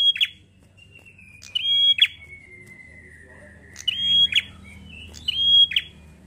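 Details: Bar-winged prinia, gacor ngalun fighter song used for stimulating prinias to sing: repeated phrases of a level high whistle and buzzy fall, joined by a thin, slowly descending whistle in between.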